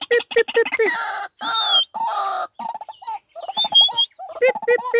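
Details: A pet white-breasted waterhen (Amaurornis phoenicurus) gives quick runs of harsh, clucking croaks broken by brief higher whistled notes, in loud bursts with short pauses; the call is offered as a lure said to attract waterhens.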